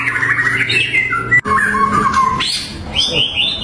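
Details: White-rumped shama song used as a bait to provoke and anger rival birds: varied clear whistled phrases, some sliding down, others rising sharply, with a brief break midway and a low hum beneath.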